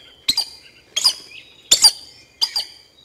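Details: Collared aracari in Costa Rica giving four sharp, squeaky, explosive double notes, each a harsh high 'ks-sik', spaced about three-quarters of a second apart, loud and close over a quiet background.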